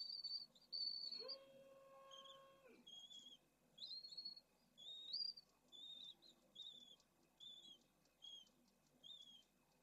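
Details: Pallid swift nest colony in Jerez de la Frontera, Spain, eggs beside a parent and chicks growing flight feathers: high chirps and a steady low tone early, then evenly spaced downslurred chirps about every second.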